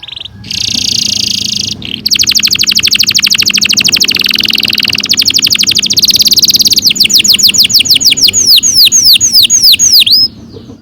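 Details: Canary in full song with a long roll, used to train young birds: a buzzy note, then a long rapid rolling trill that slows into separate downward whistled sweeps, with faint low background noise.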